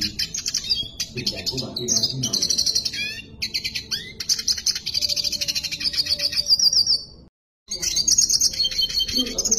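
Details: Red siskin singing at length: a dense, high twittering song of rapid buzzy trills and chattering notes, with a few rising whistled slurs, running almost without break apart from one brief silence near the end.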